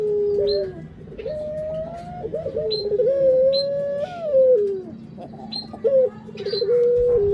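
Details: Puter, a Barbary dove, delivering a string of long coos that waver upward and drop off, with quick stuttered notes between phrases and faint high clicks.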